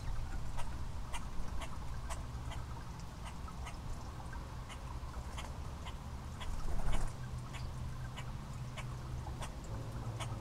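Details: Common starling fledgling, still learning to feed itself, begging for worms from a common grackle: harsh, rasping broadband notes repeated about twice a second, steady and insistent, with one louder burst near the middle over low background rumble.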